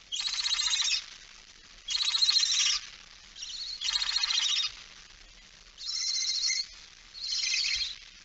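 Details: Barn owl with a mouse, recorded 17 September 2019 at 06:11: five long, harsh, breathy hisses, each about a second, separated by short pauses, with a faint low hum underneath.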